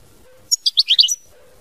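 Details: A European goldfinch sings a brief mama binette style phrase: about six bright, high chirps and trills within under a second, with faint low background hum.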